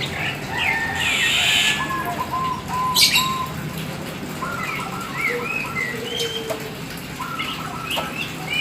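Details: Black Oriental magpie-robin singing eagerly: clear whistled phrases and quick repeated notes, with a short rushing noise early on and a steady low hum throughout.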